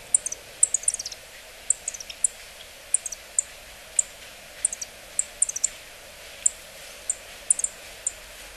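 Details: Yellow-throated bunting calls: very high, thin, sharp ticks, single or in quick clusters of two or three, repeated irregularly several times a second over faint low background hiss.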